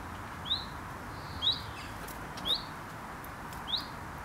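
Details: Nesting common chiffchaff in a UK garden, calling in alarm: four short rising "who it?" notes about one second apart, thin and high, with faint background hiss.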